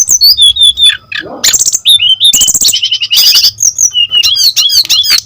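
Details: Energetic brown-chested jungle flycatcher song, used to lure other birds of its kind into singing and as tutoring material; jumbled high chirps, rattling bursts and looping whistles, with a rising then falling run of notes.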